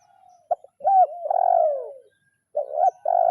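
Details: Spotted dove, kuk 0-1 lure call aimed at a rival: brief clipped notes lead into a loud, long coo that slides gently downward, followed by a short hooked note and another sustained coo.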